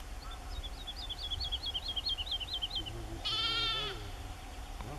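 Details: Woodlark (Lullula arborea) singing at Aekingerzand, Drents-Friese Wold, on 31 March 2016: a liquid, looping series of about a dozen slowly descending high notes, then a loud sheep-like bleat breaks in.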